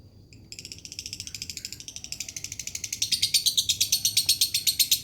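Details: Lovebird singing in a dry-voiced style used as a lure: a brief start, then a fast, steady run of high, sharp chattering notes repeated nearly three times a second, growing louder and denser toward the end.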